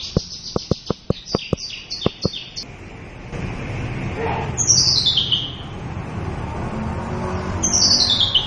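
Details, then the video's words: A local Javan bush lark in full varied song. A string of sharp, high ticking chirps is followed by loud descending buzzy slurs. A faint steady background hum runs underneath. "Suara Burung Branjangan Lokal gacor full isiaan"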